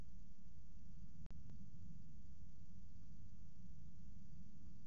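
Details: Steady low rumble and hiss fill the recording, broken once by a short sharp click, with no animal voice heard.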